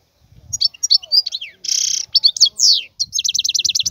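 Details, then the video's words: Wild European goldfinch singing chattering twitters, a loud harsh buzzy note and a steep falling whistle, closing with an evenly repeated trill of about ten quick notes; soft low rumble. "اسمع بأذنيك تغريد هذا الحسون البري. افضل غناء خلوي"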